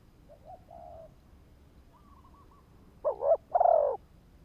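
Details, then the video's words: Spotted dove used as a lure bird: faint distant coos early on, then a louder close phrase near the end with a wavering two-part lead-in and a rolling low coo. "Tiếng chim cu gáy kích bổi"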